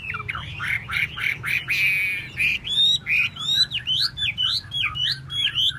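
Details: Chinese hwamei dancing with its tail fanned, singing rough rasping notes that give way to bright short whistled phrases repeated in quick succession.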